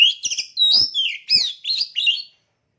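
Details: Oriental magpie-robin, a caged contest bird, singing a quick varied burst: bright squeaky chips and sweeping downslurred whistles in about six rapid notes, then silence.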